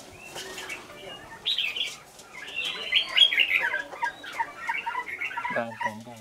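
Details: Fighting song of a caged red-whiskered bulbul decoy from Lương Sơn, kept for one week: fast tumbling warbles and chirps rising to a loud burst, then a short low voice-like sound at the close.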